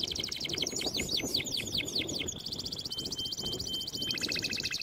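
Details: Canary song used for training young canaries: rapid trilled phrases of repeated notes high in pitch, a run of arching downward-sweeping whistles, then a long fast buzzy trill; faint low background noise.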